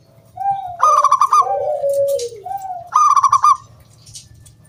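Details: Singing local wild zebra dove, kept as a lure to make other doves sing: a crisp stuttering burst of ringing coos, a lower soft slurred coo, then another bright stuttering burst, over a faint low hum.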